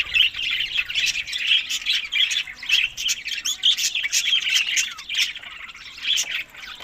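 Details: Budgerigars eating in summer, May to June, tagged Larkana, Sindh; steady rolling chatter of buzzy chirps and warbles goes on throughout, with clicks in the background.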